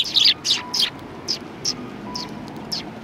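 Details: Eurasian tree sparrows, several birds, giving bright high chirps in quick bursts, three loud ones in the first second then softer scattered chirps, with a faint low hum beneath.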